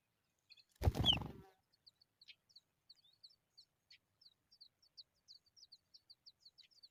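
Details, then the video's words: Hungry Familiar chat nestlings begging: a steady series of thin, high, short chirps, roughly three per second, following a single loud thump near the start. "Familiar chat bird babies are hungry"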